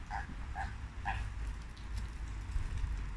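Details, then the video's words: Flamingos heard on a late Thursday afternoon: three clear, evenly spaced nasal honks in the first second and a half, followed by quieter calling over a steady low background rumble. "Watching (and listening to) the Flamingos on late Thursday afternoon."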